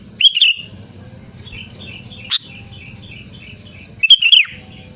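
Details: Loud Sooty-headed bulbul calling out to a rival. Two quick liquid whistled phrases open and close the stretch, with a single sharp note between them over a steady low hum.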